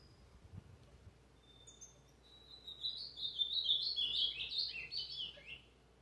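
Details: Azulão pardo, an ultramarine grosbeak, on 29 August 2023: after a quiet start with a thin whistle, a fast burst of bright, chattering, up-and-down warbled notes builds and fades.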